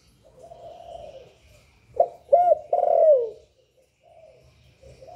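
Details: Kept spotted dove giving its calling and cooing phrases, meant to stimulate other doves: faint soft murmuring, then one loud phrase of a clipped note, a curved hooked coo and a long slurred descending coo.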